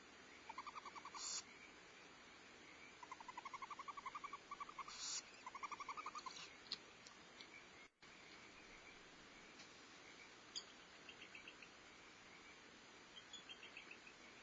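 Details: At a Starr Ranch barn owl nest, 14 February 2011, the female feeds owlets and the male brings prey; short bursts of fast ticking twitters alternate with brief breathy hisses, with a quiet gap mid-recording.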